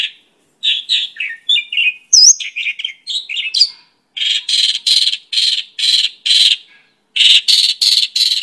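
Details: Song of a Mongolian lark (Pakling) meant for tutoring and luring birds: a jumble of varied chirps gives way to a string of about nine harsh, buzzy notes with brief gaps.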